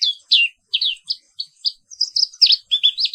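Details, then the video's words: Black-capped white-eye, found only in Indonesia, singing a continuous morning roll: evenly spaced high downslurred chirps that quicken into a tumbling run of warbled notes toward the end. "Suara Terapi Pagi Pleci Papua Wiklus | Auto Aktif & Ngerol Terus"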